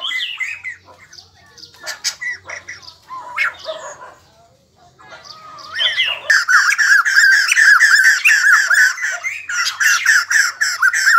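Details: White-crested laughingthrush, kept bird, singing and dancing: scattered soft squeaks and whistled calls at first, then a sudden loud, harsh cackling chorus of rapid repeated notes to the end.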